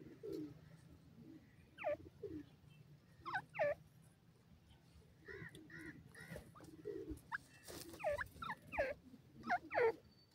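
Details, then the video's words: Francolin, locally called teetar and shown with a baby bird, giving sharp downward-sweeping calls in irregular bursts, with a quicker run of several calls near the end, over a low steady background hum. "bird lover teetar awaz"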